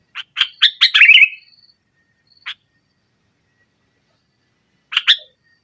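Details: Sooty-headed bulbul singing in the pressing 'nggaruda' style used to provoke a silent bulbul: a quick accelerating run of harsh chirps ending in a descending slur, then two isolated short notes after long silences.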